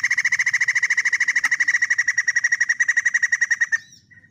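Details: White-crested laughingthrush singing a rapid, rattling series of identical clipped notes, about ten per second, sustained for nearly four seconds before stopping abruptly, followed by a faint short note.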